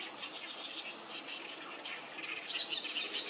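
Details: Several oriental reed warblers sing loudly at the Sawatari River on 7 June 2024. Their rough, stuttering chatter is broken by higher squeaky notes, repeated quickly in an uneven rhythm.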